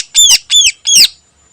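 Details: Greater green leafbird (cucak ijo) singing vigorously in the morning, a song full of learned phrases: three loud, harsh, buzzy arched notes, each rising then falling, rich in overtones and about a third of a second apart.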